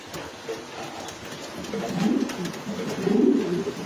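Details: Racing pigeons in a loft: low, throaty cooing swells up twice, around two and three seconds in, over a murmur of other pigeons and faint rustling.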